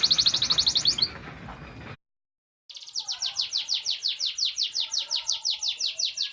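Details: Fighting-type canary singing a training song: a fast rolling trill of rapid notes for about two seconds, a short silence, then a long run of evenly repeated bright chirps.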